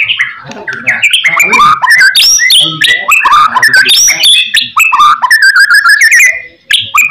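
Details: Song of a white-rumped shama used as a master so other shamas answer: dense, energetic stream of varied whistles, harsh notes and rapid trills, ending with a brief gap and a final loud phrase.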